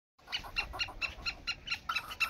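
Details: Black francolin giving a harsh, rhythmic series of about nine scratchy notes, each spaced roughly a quarter second apart, bright and buzzy in tone, over a faint low background rumble.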